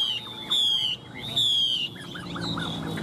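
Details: Chinese Hwamei, fan-tailed and tail-flicking like a laughingthrush as it sings in a very fine voice, gives two long, clear, high sustained whistles followed by a quick run of short, dipping notes.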